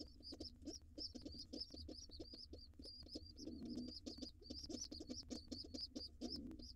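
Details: Nest box of wild rock pigeons: gray mother, white father and young nestlings. Continuous high, thin, wavering squeaks pour out over a steady low pulsing, with two soft muffled coos in between.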